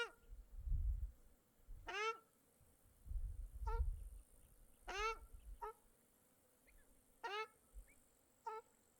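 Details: Birds by a small lake in Mongolia, recorded in July: loud harmonic calls, rising then falling, repeated at irregular intervals of roughly one to two seconds, over low rumbling bursts of wind or water.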